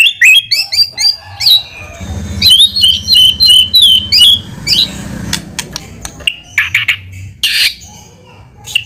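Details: White-rumped shama singing in lure style to provoke an answer: high, thin whistles and chattering notes delivered in fast bursts, later broken by scattered clicks and sharp ticks with a low background hum.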